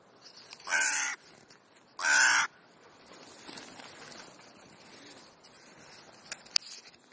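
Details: Many crows gathered on an afternoon in Clara Zetkin Park, Leipzig, Germany; two loud, rasping caws about a second apart open the clip, then quieter background murmur and a few sharp clicks.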